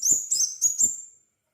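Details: Crimson sunbird song: four crisp, very high, ringing chirps in just over a second, evenly spaced, ending in a thin fading whistle, with soft low taps under each note.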